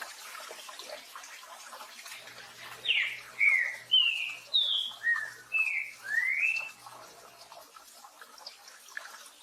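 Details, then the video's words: Green-winged saltator singing its "tio joão pedro boi" song style with rain falling in the background: about seven loud, slurred whistled notes, each rising or falling, delivered in roughly four seconds over a steady hiss of rain. "TRINCA FERRO CANTO TIO JOÃO PEDRO BOI"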